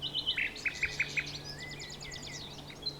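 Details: Common nightingale singing: a quick string of bright, evenly spaced repeated notes, followed by fast, high, rattling trills and whistled phrases, over a quiet background with a faint steady low hum.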